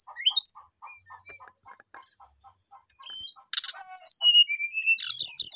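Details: Brown-chested jungle flycatcher song aimed at a rival: a rising whistle opens, then sparse thin high notes over steady low ticking, before a burst of dense buzzy trills and sliding whistles.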